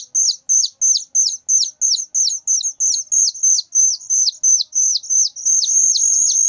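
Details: Loud whistling thrush chick giving separate piercing, high down-hooked notes in a regular beat of about three per second, which merge into one continuous shrill call near the end.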